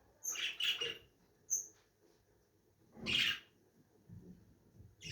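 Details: Lovebirds giving loud, shrill, screechy bursts: a cluster of harsh chirps near the start, a single thin squeak, then another strong grating screech after a pause.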